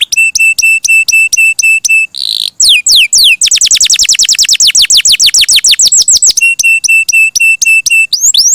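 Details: Melodious gacor canary song: evenly repeated ringing notes, a brief harsh burst, then a long rapid cascade of descending whistles before the ringing repeated notes return.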